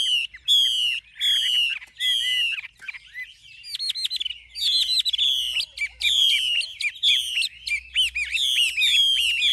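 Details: Chinese hwamei, an older wild-caught bird singing its true forest-style song: long, ringing whistles mixed with rapid trilled notes and twisting slurs, delivered in loud bursts with brief gaps.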